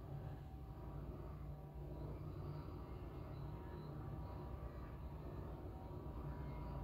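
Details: Steady low rumbling noise, like distant traffic or machinery, continues throughout with no clear animal call.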